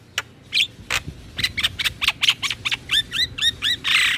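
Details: Black-winged myna song used as a prompt for captive birds: scattered sharp clicks giving way to a steady series of falling whistled notes, ending in a harsh rasping burst.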